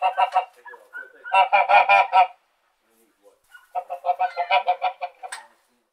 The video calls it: Geese Honking